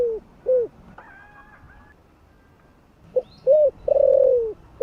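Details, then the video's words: Spotted dove giving its warm morning call: the tail of one phrase, a pause with faint rural background, then a new phrase of a short note, a rounded coo and a long purring coo gliding lower, with a brief high bird chirp. "Cu gáy GÁY GỌI buổi sáng giọng ấm cực hay"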